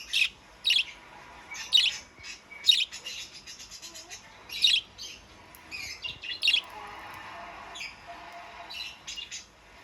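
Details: Budgerigar singing lively, a chattering run of high chirps, squeaks and warbled phrases, with sharp accented notes roughly every second and softer twittering between them.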